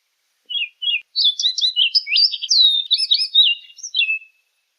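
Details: Orchard oriole delivering a hurried warbled song: two short introductory notes, then about three seconds of rapid, varied whistles, slurs and chatters ending in a down-slurred note.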